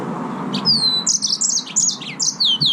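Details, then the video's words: Green singing finch, the yellow-fronted canary, in fast song: a falling whistle opens a run of bright chirped notes, ending with two repeated downward-slurred whistles. "Mozambik Kanaryası, The Green Singing Finch( yellow fronted canary), Serinus Mozambicus"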